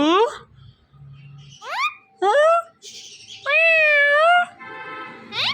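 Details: Pet Indian ringneck parakeet, one of a male and female pair, imitating voices in the morning: short rising whistled sweeps, then a long wavering nasal tone with strong overtones, with soft indoor background noise.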